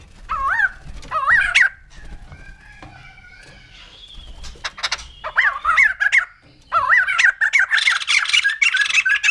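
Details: Wavy, bouncing whistled notes from a white-crested laughingthrush, then a quieter stretch of thin tones before a loud burst of harsh chatter mixed with rising and falling whistles.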